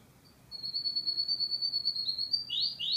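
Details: Canary singing: a long, steady, high whistled note held for about two seconds, then a quick drop and brief higher chirped notes at the end.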